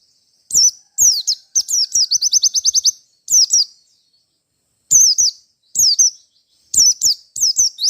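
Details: Gacor White-eye from Merapi in fighter style, calling in search of a rival: bursts of high, sharp chirps with rapid trilled runs of repeated notes, separated by short pauses.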